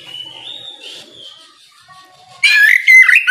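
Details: Oriental magpie-robin, singing ngeplong-style in the morning to challenge rivals; a faint thin whistle drifts at first, then a sudden loud rush of rich, warbling whistled notes takes over near the end.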